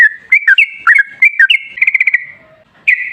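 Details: Sooty-headed bulbul in energetic, long continuous song, used as a lure to make other bulbuls sing: short clear slurred whistles rising and falling, then a quick burst of six bubbly repeated notes and a final bright whistle.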